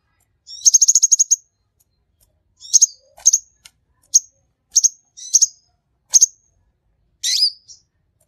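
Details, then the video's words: Sunbird (kolibri) in lively song: a rapid high buzzy trill, then short sharp clusters of thin chirping notes about every half second, all very high-pitched, on a silent background. "MASTERAN KICAUAN SANG KING KONIN GACOR"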